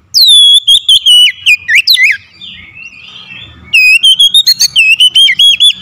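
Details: Lure oriental magpie-robin, used to spur other birds to sing, delivering two energetic bursts of fast, clear, downslurred whistles about four per second, split by a short soft warble.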